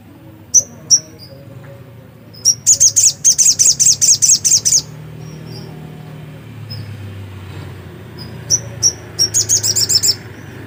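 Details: Black-capped white-eye in lively song: scattered single high chips, then a rapid burst of a dozen thin, sharp notes, a pause with soft low rumble, and more isolated chips before a second quick trill.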